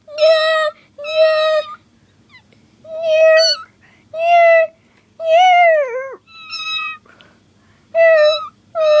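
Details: Pet cockatiel imitating a cat's meow. Seven nasal, harmonic meow-like calls in short bursts, some ending in a downward slide, with brief pauses between them. A quiet room hum sits underneath.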